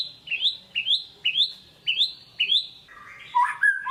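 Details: Pet shama delivering lure song for an unwilling singer: five identical upward-sweeping whistles repeated every half second, then a tumbling, warbled phrase sliding up and down.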